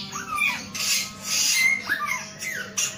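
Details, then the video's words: A male samyong gives a few clear whistled notes that arch and slide downward, separated by short gaps, with a faint electrical hum beneath. "SUARA BURUNG SAMYONG GACOR/SUARA ALAM/SAMYONG JANTAN"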